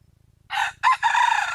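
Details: Wild junglefowl giving a loud crow, recorded in 2021 to attract birds: an opening syllable, a brief gap, a higher accented note, then a prolonged harsh phrase cut off at the end, over a low hum.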